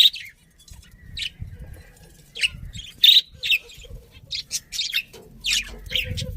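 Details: Budgerigars give scattered sharp chirps and squeaky notes at uneven intervals, some close together and some alone, over a quiet low rumble.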